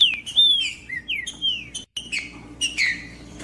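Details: Green-winged saltator giving clear, strong whistled notes that slide downward, a short phrase broken by a brief silent gap, then more whistles.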